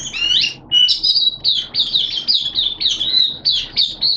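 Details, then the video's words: Oriental white-eye, a hobby bird in opening-song mode, recorded 11 September 2022 in wet, changeable weather; starts with descending sweeps, then a run of quick high twittered notes in short bursts. "Mata Puteh T-Rex Buka Sing"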